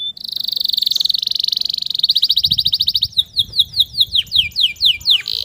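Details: Singing male canary meant to prompt stressed canaries to sing again; a steady buzzing trill accelerates into a pulsed roll, then breaks into loud downward-sweeping whistled notes repeated about twice a second.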